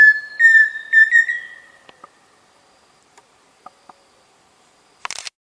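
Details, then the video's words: Pheasant cuckoo giving clear whistled notes at the start, ending in a rapid stuttering tremolo that trails off, followed by near silence with a few soft ticks and a brief rustle. "Som de Peixe-frito / Dromococcyx phasianellus"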